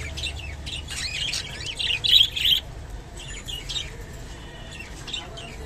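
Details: Japanese budgerigar eating kolmi shak (water spinach), giving busy high chirps and warbling twitters in quick irregular bursts, loudest near the middle, then quieter scattered tweets over a low background hum.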